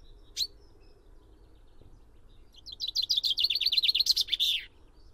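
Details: Common chaffinch: a single sharp high note, a pause, then a complete song phrase of rapid repeated notes descending slightly and finishing with a loud flourish before falling silent.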